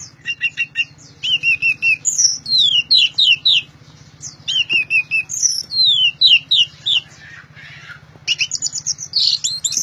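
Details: Loud gacor teler singing by an orange-headed thrush: rapid repeated phrases of descending whistles and trills, several notes a second, with brief pauses between runs and a low mechanical hum throughout.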